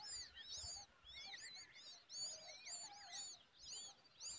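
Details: Adult common babbler offering a large worm to its eager chick; clusters of high, wavering, arched chirps come in irregular bursts, with softer mid-pitched notes beneath.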